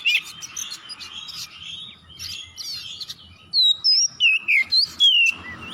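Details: Oriental magpie-robin singing to prompt other birds to sing, starting with dense scratchy chatter, then a run of clear, loud whistled notes, some sweeping up and others falling, roughly two per second.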